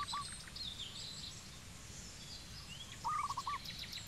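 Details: Zebra dove recorded in Cambodia, a single short note early, then a rolling phrase of five staccato coos, with steady high-pitched chirping from other birds throughout.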